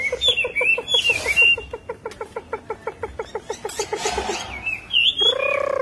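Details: Chinese hwamei song, khiển khách style, bird with fluffed belly: slurred whistled phrases, then a fast, steady series of short repeated notes with clicks, a final whistle and a brief humming tone at the end.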